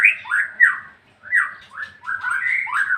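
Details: Ngeplong song of a white-rumped shama, made of loud, rich whistled notes that dip and swoop in repeated phrases roughly every half second, with a brief silent gap midway.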